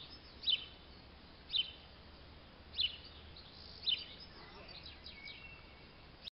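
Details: On an evening walk in Bilfingen on 1 July 2020, a bird, a tit judging by its black-and-white head though a robin was also suggested, gives four thin, high, slightly falling notes about a second apart over steady hiss.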